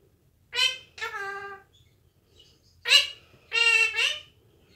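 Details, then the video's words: Captive Indian ringneck parakeet talking in a small room, uttering two pairs of drawn-out, nasal, word-like phrases with even high pitch, a silent gap between the pairs. "(Indian ringneck) talking up a storm"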